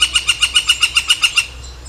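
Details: In Seattle, Washington, a Northern Flicker, a fairly large woodpecker, gives a quick burst of about eleven evenly spaced, bright ringing notes, roughly eight each second, then stops abruptly, leaving only a faint low hum.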